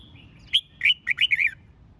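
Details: Red-whiskered bulbul singing to train for song contests: a single quick, cheerful phrase of five or six bright, slurred whistles tumbling downward, loud and clear above a low hum.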